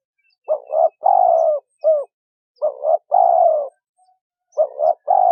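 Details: Male and female spotted doves used to provoke and lure other doves, giving repeated husky coo phrases: a short doubled note, then a long descending rasping coo, the pattern recurring roughly every two seconds in quiet surroundings.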